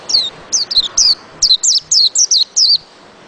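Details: White-eye delivering a lively run of about eleven high, sharply falling whistled notes in quick succession, a steady twittering phrase over low ambient noise.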